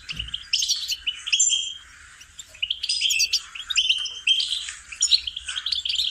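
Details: Singing lesson for goldfinches: the bird delivers choppy phrases of sharp chirps and slurred high twitters, with a short silence about two seconds in before the lively song resumes.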